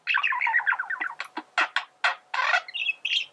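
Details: Male budgerigar singing, a recording meant for teaching other birds to sing: a rapid chattering warble of short mid-pitched chirps, followed by harsher, buzzy broadband squawks at uneven intervals and a brief higher twittering phrase at the end.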